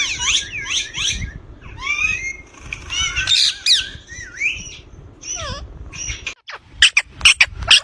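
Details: Ringneck parrot, green talking bird, with harsh twisting squawks in quick bursts, then a run of sharp, evenly spaced clicking notes toward the end.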